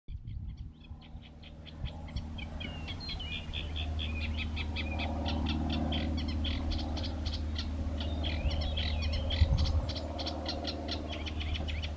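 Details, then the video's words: A Eurasian reed warbler, hidden in reeds, sings a steady, chattering song of scratchy repeated notes mixed with brief whistled phrases, over a constant low rumble of wind or distant traffic. "Reed Warbler Song"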